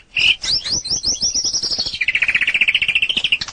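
White-rumped shama singing a rich, varied phrase: a quick run of bright, sweeping whistled notes, then a fast rattling trill of evenly repeated notes.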